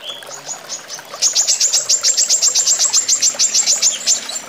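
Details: A female brown-throated sunbird (Anthreptes malacensis) in song gives a high, thin, rapid series of sharp chipping notes, about three or four per second, in a fast, tight burst.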